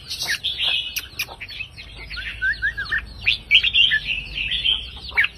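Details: Red-whiskered bulbul of the counting-song line, singing phrases of 3-4-5 notes meant to excite listening birds: dense, overlapping bright whistled warbles with short sliding notes throughout, a busy chorus feel.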